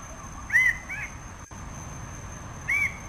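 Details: A Red bird-of-paradise (Paradisaea rubra), a species endemic to Indonesia's Raja Ampat islands, gives two loud, arched, slightly nasal notes about two seconds apart, the first trailing into a softer second, over a faint high hum.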